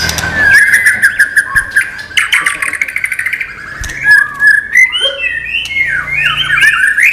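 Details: Murai batu, the white-rumped shama, singing isian-style without bubbling notes: a long held whistle with rapid clicking chatter, then varied looping whistled phrases climbing and falling.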